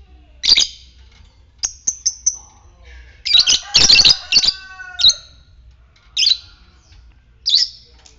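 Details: Lovebird in ngetik fighter style, calling to stimulate ngekek in others; loud grating shrieks and quick high chirps, with a dense noisy burst mid-clip and faint tonal notes behind.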